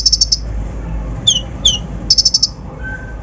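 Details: Brown-throated sunbird song used as a lure to excite other birds; two short rapid high trill bursts, downslurred chips between them and a faint lower whistle at the end.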